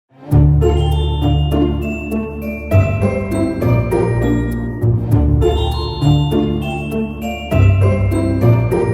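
Bright glockenspiel-like chimes ring in a slow repeating melody over a deep sustained bass, purely instrumental with no animal calls.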